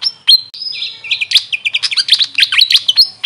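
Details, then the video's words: Grey fantail, called Maria Capra locally, opening with a few thin whistled notes, then a quick stream of squeaky, tumbling high chirps. "Grey Fantail bird call||huni ng Maria Capra kung sa amin tawagin"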